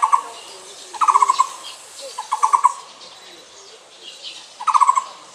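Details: Taiwan barbet, one of its four different call types: short bursts of rapid low hollow notes, about five quick pulses per burst, repeated roughly every one to two seconds, with faint background noise.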